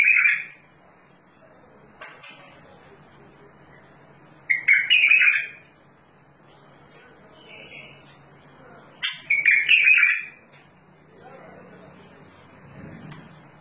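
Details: Bulbul song: short bursts of rich, warbled phrases around the upper-middle range, given three times with long quiet gaps between them, over a faint steady low hum.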